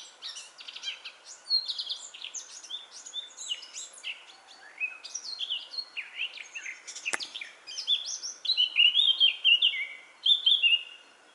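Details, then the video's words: Eurasian blackcap (Sylvia atricapilla) singing loudly in early April 2017 in Metbroekbos woodland near Smeerling, Westerwolde: a fast, scratchy, high warble ending in loud, clear fluting phrases, with faint hum and one sharp click. "Zingende zwartkop ((Sylvia atricapilla)"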